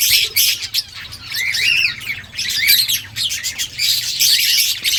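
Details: Rose-ringed parakeet chirping while eating green leaves: dense run of high, busy chirps and squeaky twitters, rising and falling in quick bursts almost without pause.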